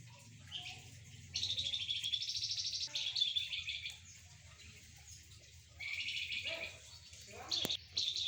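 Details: Golden-bellied gerygone sunned together with spotted doves and zebra doves delivers long high rattling trills lasting over a second each, with short chirps between, a sharp click, and faint lower sounds.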